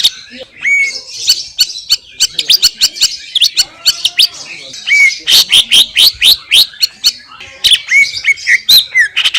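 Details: Wild greater green leafbird from Indonesia singing a rapid, varied run of sharp chirps and clicks, interspersed with a few clear rising whistles, notes tumbling in fast succession throughout.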